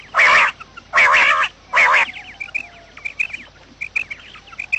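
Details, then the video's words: Morning quail calling used as a trapping lure: three strong nasal, buzzy bursts about a second apart, followed by a run of thin, high, rapid chirps and short notes. "batair Subha ki awaz | quail sound effect"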